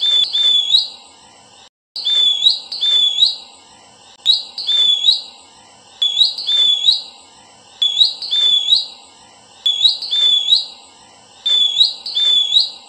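A Verditer flycatcher gives high, sweet, jingling phrases of quick rising and falling notes, repeated about every two seconds against a quiet background.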